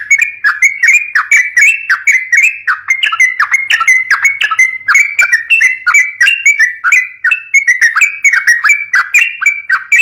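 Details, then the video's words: Fighting-style yellow-vented bulbul song for prompting young birds: an unbroken stream of fast, liquid chirps and short warbled phrases, bright and insistent throughout. "COCOK BUAT PANCING BURUNG TRUCUK MUDA"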